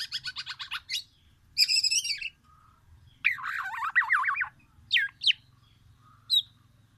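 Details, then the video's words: Black-naped oriole from Aceh, Sumatra, delivering a mimicked oriental magpie-robin repertoire: rapid high chattering trills, buzzy rasping bursts, a warbled zigzag phrase and sharp separate chips, over a low steady hum. "Kepodang emas gacor,bongkar isian murai batu"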